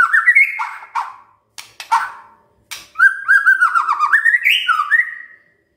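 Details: White-rumped shama morning lure song meant to provoke silent shamas into singing: loud clear whistled phrases, rising and falling, broken by short sharp notes, with a rich warbling run at the end.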